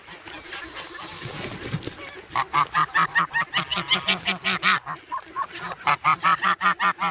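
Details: Grown goslings at Sloterpark, Amsterdam, noisy and hungry in the snow on 3 February, pecking for bread, filmed on a Sanyo SH1. After a noisy start, rapid nasal honks repeat about two or three per second in a steady run.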